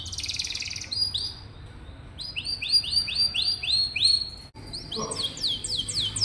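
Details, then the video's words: Canary singing to stimulate quiet young canaries: a buzzy opening roll, a pause, then a series of repeated rising-falling whistled notes, followed by higher descending sweeps. "Suara burung kenari bikin hati senang, dan masteran burung kenari muda dan jarang bunyi"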